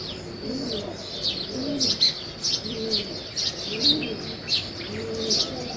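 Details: Morning chirping of sparrows in a village while weaver birds build a nest: quick high chirps repeated through the recording over soft, low, repeated cooing of doves.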